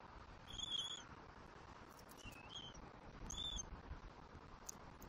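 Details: Southwest Florida bald eagle eaglet at the nest, 5 February 2024, during feeding on fish: three short high whistles over five seconds, the middle one lower and dipping, with light background rumble.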